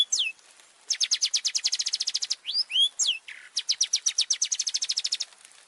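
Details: Long-tailed shrike in lively opening song used to provoke other birds. Fast rattling trills repeat in long even series, broken by sharp whistled upslurs and downslurs, then another rapid trill.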